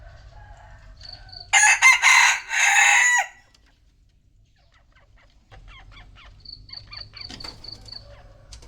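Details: Rooster crowing at noon in Vietnam: one loud, harsh crow of about two seconds in broken, rising-and-falling phrases, followed by quiet, with faint high chirps and low background hum.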